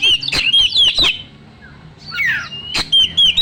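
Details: Short white-rumped shama song burst used as a lure for young forest birds: whistled notes with clicks, a quiet pause, then a fresh downslurred phrase and more clicking whistles.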